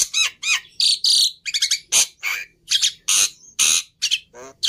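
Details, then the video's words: Harsh, scratchy song of a Black-winged myna, with loud screechy bursts, a few ringing whistles and raspy chatter, repeated in short phrases about every half second. "Suara Burung Jalak Putih Istimewa"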